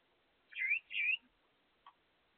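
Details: Gouldian finches kept by their owner, vocalizing while eating: two clear whistled notes in quick succession, each dipping then rising in a V shape, followed by a soft click; otherwise quiet.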